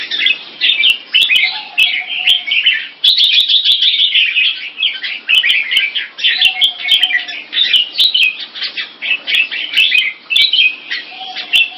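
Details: Two Singapore-kept pet red-whiskered bulbuls, Fireball and Capricorn, pour out rapid, bubbly, overlapping chirping phrases while matched against each other, a faint lower whistle recurring every few seconds; red-whiskered bulbul song.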